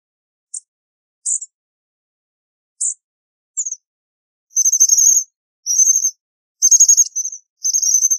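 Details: American bushtit calling: a few short high chips spaced apart, then a run of rapid high twittering bursts near the top of the range, each about half a second long, repeated every second or so on a silent background.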